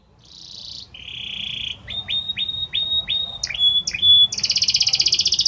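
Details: Male Belgian canary singing to a female: a buzzy trill, then a low steady rattle, a run of downward-sweeping whistled notes, and a fast bright rolling trill to finish.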